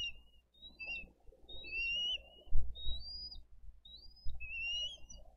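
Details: Bald eagles feeding fish to their eaglets at a Dade County nest, 22 April 2023, filmed by live camera; sharp whistled chirps in spaced bursts, with dull thumps and bumps from the nest.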